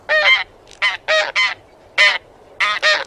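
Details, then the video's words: Short burst of Taiga bean goose calling: loud, reedy honks in pairs, about three pairs in three seconds. "寒林豆雁/Taiga Bean Goose"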